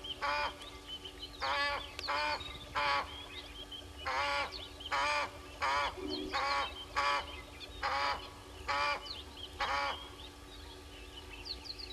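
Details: Egyptian goose calling at a waterhole camera on Gowrie dam, Djuma Game Reserve, Sabi Sand Wildtuin, South Africa, at 05:57 on 09/05/21: about ten harsh, braying honks in an uneven series, with small birds chirping behind and a low steady hum.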